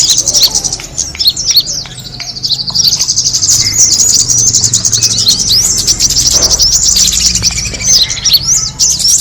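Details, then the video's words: Lure recording of kemade birds, meant to draw other birds in: many overlapping high, sharp chirps and quick downslurred tweets run without pause, with a soft low rumble underneath. "the sound of the kemade bird attracting noise"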